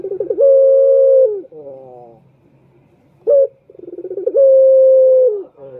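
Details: Male turtle dove lure call repeated twice: each phrase a run of pulsing notes swelling into a long, even coo that drops at the end, separated by a short sharp note.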